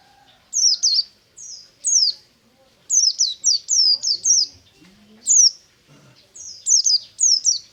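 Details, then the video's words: Morning ngalas song of a buxtomi white-eye, with clusters of quick, high descending whistles, some run together in rapid chains of four or five, separated by brief silences; faint low murmurs underneath. "BURUNG PLECI NGALAS DI PAGI HARI"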